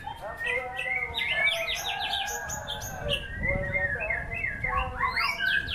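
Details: White-rumped shama song in a songbird performance, opening with fast stacked whistles and rattling trills, then slower rising and falling whistled notes, over steady low background noise.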